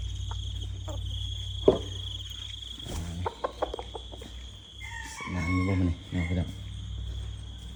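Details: Morning recording of red junglefowl being lured with a decoy bird: scattered sharp clucks and clicks lead into a harmonic, rough crow in the final seconds, over a steady low rumble and a constant high insect whine.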